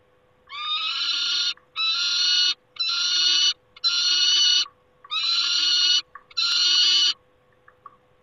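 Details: Peregrine falcon at its nest, recorded 28 August 2021: six long, harsh, rasping screams, each about a second, with short gaps between them. A steady faint hum runs underneath.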